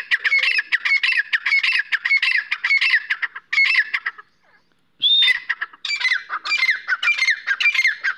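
Grey francolin giving loud, harsh, squawking notes in rapid repeated bursts, pausing briefly before starting again even louder.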